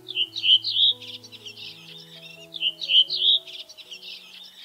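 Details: A redwing, a UK bird, gives two bursts of high, twittering, chattering notes, each about a second and a half long and two seconds apart, over soft background music.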